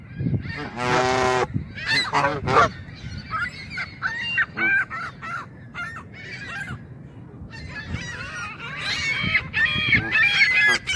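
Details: Canada geese grazing on grass, seemingly annoyed at being photographed, honk: one loud, nasal honk, then rapid, overlapping clipped honks and cackles from several birds, a few each second.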